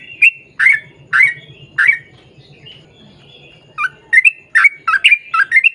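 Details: Yellow-vented bulbul in a long rolling song. Bubbly, chortling notes come in quick bursts, with a pause of softer warbles before a faster run of liquid phrases.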